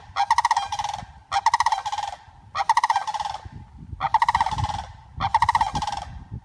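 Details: A female sandhill crane, reunited with flock mates after 114 days of rehabilitation for a broken wing, gives loud, rolling, trumpeting rattles in five bursts, each about a second long, roughly every one and a half seconds.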